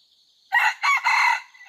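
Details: Red junglefowl, an F2 bird kept for training, recorded 5 September 2020: one short crow lasting about 1.3 seconds. A rising harmonic first note is followed by two longer, buzzy, sustained segments against a quiet background.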